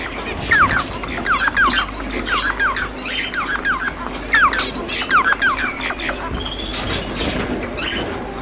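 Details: Song of a captive Bengalese finch, a run of quick descending chirps and whistled slurs for about six seconds before fading into quieter chatter.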